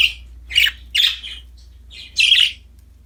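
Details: Cheerful caged budgies playing with a new toy: a few scratchy, squawky chirps, two quick ones close together, then a gap and a longer buzzy chatter near the end, over a faint low background hum.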